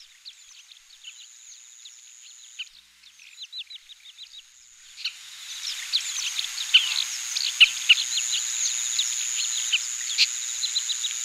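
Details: Oriental pratincoles recorded in Taiwan on 20 April 2016 keep up dense chattering, a rapid run of sharp, slurred chirps from many birds that grows louder and busier halfway through, over a persistent high whine.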